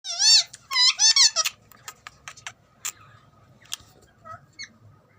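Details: Green ringneck, or rose-ringed, parakeet kept as a talking parrot, giving a quick burst of loud, harsh, ringing squawk-like notes over the first second and a half, followed by scattered clicks and brief faint squeaks in a quiet room.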